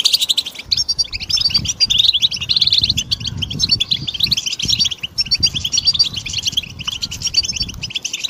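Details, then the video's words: European goldfinch song played to stimulate other birds: dense tinkling twittering and rapid chirps high in pitch, nearly continuous for eight seconds, with a low rumbling background noise throughout. "goldfinch stimulation"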